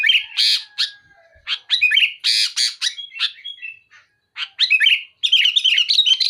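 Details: Sooty-headed bulbul in full, vigorous song, pouring out loud, harsh, rapid-fire phrases to pressure a rival: bursts of chirpy, warbled notes, some rising and some falling, broken by short pauses, ending in a fast run of bright repeated notes.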